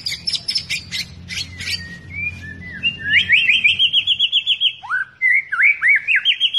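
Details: Long song of an albino white-rumped shama from Medan, recorded 9 November 2020: high rapid chirps, then clear whistled phrases with fast trilling wavers, repeated loudly.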